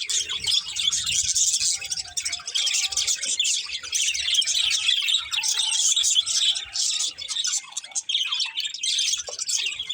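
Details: A budgie breeding pair keeps up almost unbroken, busy warbling of high chirps, squeaks and rasps for about ten seconds, with only brief dips in loudness.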